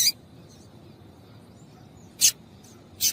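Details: To stimulate males, a female yellow-bellied seedeater calls with three short, high, sharp chirps, one at the start, then two close together near the end, over quiet low background noise.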